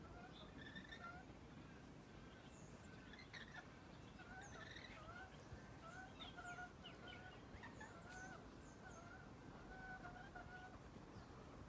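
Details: Several wild rainbow lorikeets feeding on peaches in a peach tree in the afternoon keep up a busy chatter of short, sharp chirps and thin screeches, overlapping every second or so over a steady low rumble.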